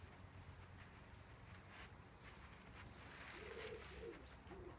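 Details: Wood pigeon in a garden, its song likened to the saying "take two cows, Taffy"; a few soft, low coos arrive late in the clip over steady background noise.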